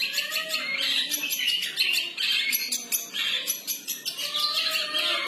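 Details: Long-tailed shrike, called cendet, in free-style song: a continuous stream of scratchy, chattering notes and short harsh bursts, pulsing rapidly with brief whistled slurs woven through.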